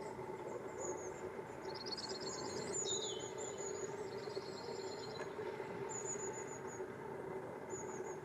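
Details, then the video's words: Long-tailed tit (Aegithalos caudatus) gives thin, very high 'see-see-see' notes and a brief stuttering rattle of quick repeated notes, over a steady rushing background noise. "The Long-tailed tit Bird"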